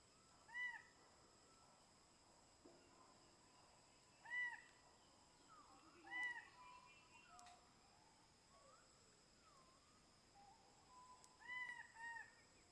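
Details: King bird-of-paradise, locally called Gobi-gobi, in the Badi Gaki Birds Sanctuary: short, clear, harmonic notes that bend upward, given singly or in pairs every two to four seconds against a quiet background.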